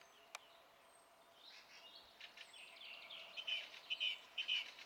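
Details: Song thrush singing, recorded 27 April 2016; soft, scratchy warbled notes build up, then a sharp, bright, clear phrase is repeated three times in quick succession, with a quiet background and a single click near the start.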